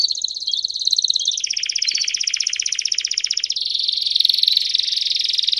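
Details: Canário do Reino song in the campainha style, a male singing with a female calling nearby. Dense, continuous high trills change speed and pitch in three sections, each a rapid, even rattle with no pauses.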